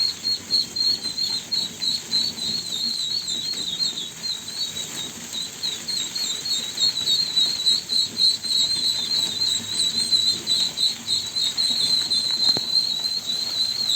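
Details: A long stretch of duckling peeps, high thin whistled notes repeated quickly and steadily, some overlapping, about three to four per second, with a faint click near the end.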